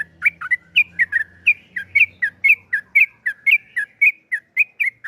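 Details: Yellow-vented bulbul singing in a lively 'gacor' style, used as a lure to set other bulbuls singing: a fast series of bright whistled chirps, mostly two-note slurs, repeated about twice per second, with a faint low hum beneath.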